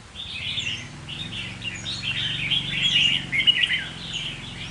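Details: Red-whiskered bulbul kept caged as a decoy sings a continuous stream of chirpy warbling over a steady low hum.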